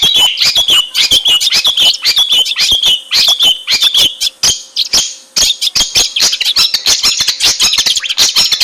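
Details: Long-tailed shrike in its natural habitat giving a dense, unbroken harsh chatter of scratchy rapid notes mixed with thin whistled tones.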